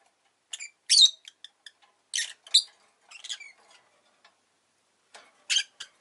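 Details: Pet rosy-faced lovebird chirping indoors: short harsh, buzzy chirps in loose clusters, some doubled, separated by brief silences, with a final burst of three rapid notes.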